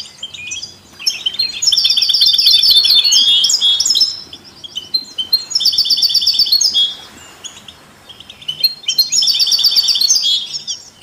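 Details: Melodious song of a European goldfinch with canaries and mules, used to stimulate other songbirds; three loud bursts of high, rapid, rattling trills, each lasting about two to three seconds, separated by quieter chirps.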